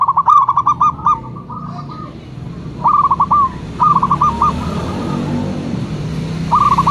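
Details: Local zebra dove (perkutut lokal) cooing in short staccato runs, the phrases separated by pauses, as a steady rising hiss builds in the background.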